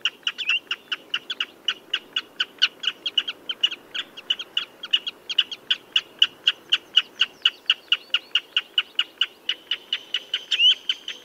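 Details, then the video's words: Common redshank calling: a steady run of sharp, clipped notes, about four a second, held at one pitch for over ten seconds, with a short rising whistle near the end and faint low background hiss. "Tiếng Chim Choắt Chân Đỏ"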